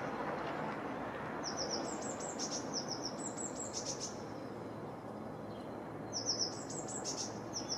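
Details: Great tit singing on 6 April: high, clear two-note phrases alternating up and down, repeated in a short run, a pause, then taken up again, over a steady low background hiss.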